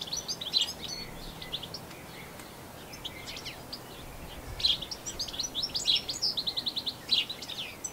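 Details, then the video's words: European goldfinch singing in New Zealand, where it was introduced from Europe, captured with a Canon SX60HS: bursts of rapid, liquid, canary-like twittering and trills, high-pitched and broken by short pauses, over faint outdoor noise. "Goldfinch Song"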